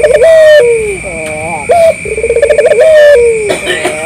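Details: Collared dove, a local bird, giving a lure call meant to draw replies from other doves: a bubbling trilled coo running into a drawn-out descending tone, repeated quickly, with a constant high whine behind it.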